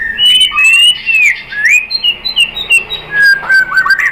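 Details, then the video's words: White-rumped shama (murai batu) lure song meant to provoke another shama into singing: rich varied whistles, slurred rising and falling phrases mixed with sharp high chips and short notes in quick succession. "MURAI BATU jadi EMOSI NYAUT ikut BUNYI GACOR BONGKAR MATERI dengan PANCINGAN MURAI ini ¦ SHAMA BIRD"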